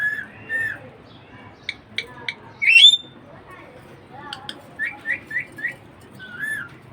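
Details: Pet budgie parakeet giving soft arched chirps, faint clicks, one bright upswept whistle, then a quick run of four rising chirps and a final curved note.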